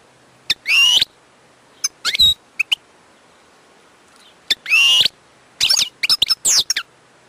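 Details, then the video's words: Wild European goldfinch giving scattered phrases: sharp high chirps, a few drawn-out bright sweeping notes and short twitters, with quiet gaps between them. "chant chardonneret sauvage/ تغريد حسون نار"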